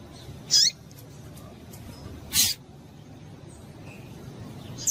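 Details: A female Rusty-collared seedeater gives calls meant to get males singing: two clear, sharp, high chip notes almost two seconds apart, plus the start of a third at the very end, against low background hiss.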